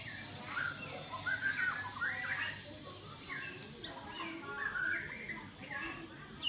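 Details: A wild-caught white-rumped shama, one week in a cage and being tamed, with a 16 cm tail, gives short, varied whistled and warbled phrases in scattered bursts over a steady background hum.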